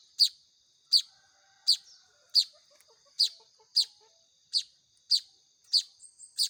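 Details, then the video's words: Hand-fed Baya weaver nestlings calling: a regular series of piercing, short high chirps about every 0.6 to 0.7 seconds, with faint soft lower twitters in the background. "SUARA ANAKAN BURUNG MAYAR"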